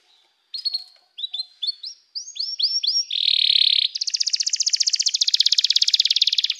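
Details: Canary opening with spaced pairs of short chirps that grow in strength, then a dense buzzy note and a long, rapidly pulsing rolled trill.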